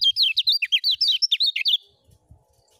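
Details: Lemon-bellied white-eye delivering 'ngejos' song for training other birds: a loud, quick string of about fourteen high, looping whistled notes over under two seconds, stopping abruptly into near-silence with faint low thumps.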